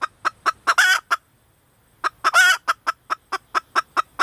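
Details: Loud, close female red junglefowl clucking, fast clipped notes with two harsh rasping squawks and a brief second-long pause between them.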